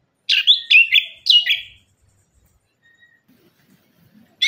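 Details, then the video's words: Orange-headed thrush singing a lure phrase for birds that have stopped singing: three loud, rich phrases within about a second and a half, each a bright slurred whistle with a buzzy tail, then near silence. "ANIS KEMBANG - PUNGLOR KEMBANG - KICAUAN ANIS KEMBANG GACOR"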